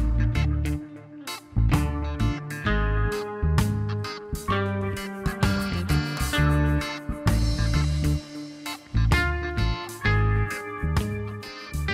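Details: Only music plays: strummed and plucked guitar with a heavy bass beat and no animal voice.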